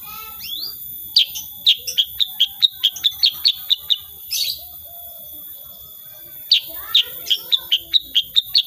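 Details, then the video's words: Sooty-headed bulbul in full 'tembakan' song, unedited: long volleys of crisp high chips at more than two per second, broken by a short pause, with faint lower warbles and a steady electronic whine behind. "KICAUAN KUTILANG SUTRA SUPER GACOR"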